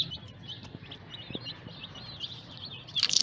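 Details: Newly hatched chicks cheep in a soft, continuous run of high, wavering peeps, with a few clicks and a louder burst of noise at the end.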